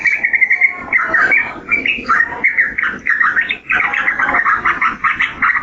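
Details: Yellow-vented bulbul in a busy, chattering song of rapid gurgling notes, fairly steady in pitch, broken by a short pause past three and a half seconds.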